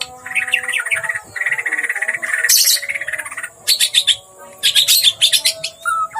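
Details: Agitated white-rumped shama in full, loud song, with quick repeated chattering phrases, a harsh noisy burst, then sharp high rattling notes in short volleys and a brief whistle at the end. A constant faint hum runs beneath.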